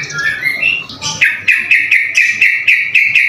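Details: White-rumped shama (murai batu) in lively song, opening with slurred whistles, then a sharp note repeated about four times a second in a steady chattering series.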